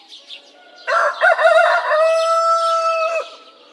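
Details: A rooster gives one full crow: a sharp broken opening followed by a long, steady, slightly falling note lasting over a second, over quiet background chirps.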